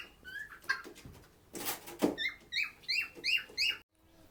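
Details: Lovebird at a shelter for sick birds: scattered thin notes and a burst of rustling noise, followed by a quick run of shrill, downslurred chirps that ends abruptly.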